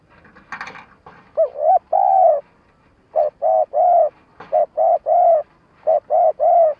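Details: Spotted dove lure call for trapping, a stuttering coo-and-crow sequence meant to provoke wild birds: repeated groups of three low, mellow, slightly rising and falling coos, each group about a second and a half apart, with a short soft noise at the start.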